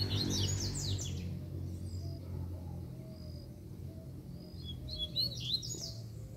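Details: Free-flying wild Double-collared Seedeater described as feisty ('fibrado'), female nearby: fast bursts of high, sweeping, chattering notes open and close the passage, a few thin whistles between, over a steady low rumbling hum.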